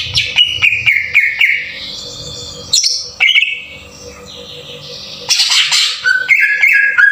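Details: Green leafbird song used as a lure to rouse other birds into singing, in the rough 'tembakan kasar' style: loud whistled notes near steady pitch, a buzzy burst midway, then falling whistles, with quiet gaps between phrases.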